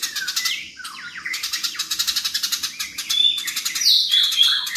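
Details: Quarrelling house sparrows chatter in quick, uneven pulses, mixed with descending chirps and a few thin high whistled notes toward the end.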